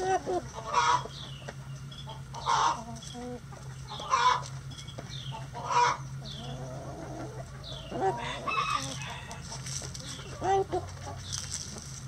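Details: Chickens being fed in their coop utter short clucking calls about every one and a half to two seconds, with softer chatter between and a constant low hum.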